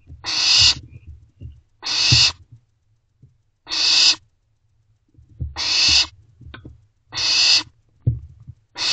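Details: Barn owl owlets in a nest box at night, calling to their parents for food: long harsh hissing screeches, about half a second each, repeated roughly every one and a half seconds, with soft low rustling between.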